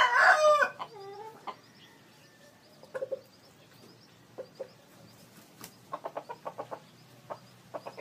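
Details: A big, long-crowing decoy Red junglefowl gives one short, hoarse crow that cuts off abruptly, followed by scattered soft clucks and dry clicking sounds.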